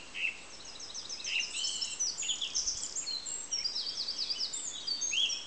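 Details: Song thrush singing: a dense, continuous run of varied high chirps, trills and rapid repeated notes, with brief lower whistled slurs near the start and end, over a steady background hiss.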